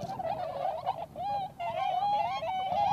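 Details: Tundra swans, including the American subspecies, wintering at Inzai, Chiba, give overlapping, mellow hooting and bugling calls, some notes held and wavering, others rising, in a near-continuous chorus from several birds.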